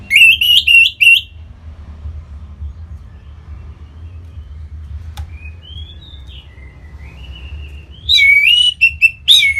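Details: Kept orange-headed thrush from North Bali singing as a lure to set other birds singing: quick whistled phrases open and close the passage, with soft, thin rising and falling whistles in between and a low background hum.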